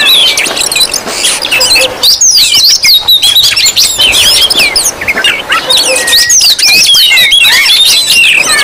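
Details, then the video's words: A busy mass of Oriental magpie-robin calls meant to lure and provoke rival birds: sharp rising and falling whistles and chattering notes overlap without pause across the whole stretch. "Suara Kacer ribut Rame Banget sangat cocok buat pancingan"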